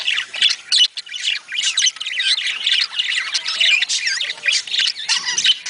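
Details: Chorus of budgerigars, used to prompt pairing and mating: a nearly continuous high warbling chatter of scratchy squawks and quick twittering notes with little break.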